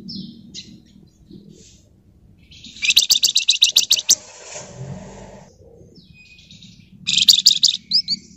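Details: Lively flamboyan song in the dense ngebren and nyerecet style, kept as a lure recording: two bursts of rapid, harsh, buzzy chattering notes, about a dozen pulses each, separated by quieter rustling and faint soft chirps.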